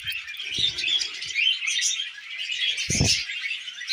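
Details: Pet budgerigars chattering as they eat millet: a steady busy mix of high chirps, squeaks and warbled notes from several birds, broken by short low knocks and rustling.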